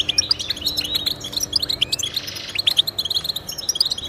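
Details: European goldfinch song played to prompt pet goldfinches to sing: continuous rapid, tinkling chirps and short trills, with a soft buzzy passage near the middle.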